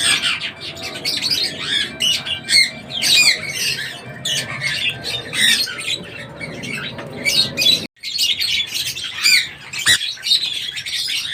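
A sun conure gives harsh, repeated squawks and chattering calls, loud and high-pitched throughout.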